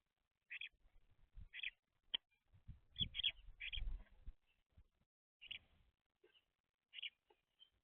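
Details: Young house sparrows at a seed feeder chirp in short sharp notes scattered through the recording, mixed with low thumps and rustling of birds moving and scattering seed.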